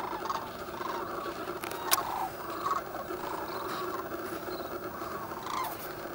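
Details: Sandhill cranes waking in thick pea-soup fog on the Platte River near Gibbon, Nebraska, on the Central Flyway, filmed with a Canon 7D. A dense, continuous chorus of rolling, rattling calls from many birds, with occasional louder notes.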